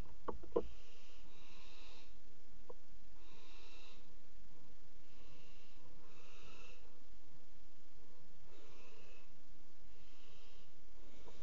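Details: Hoarse, snoring hisses from a barn owl at a water-tower nest box, 5 February 2018, during mating on the rim; about seven breathy bursts, each under a second, after a few sharp clicks, with a low background drone.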